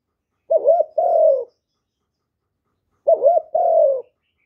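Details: Spotted dove calling to rouse newly caught doves into cooing, recorded close with no background noise: two phrases about two and a half seconds apart, each a brief wobbling note followed by a longer, mellow, slowly falling coo.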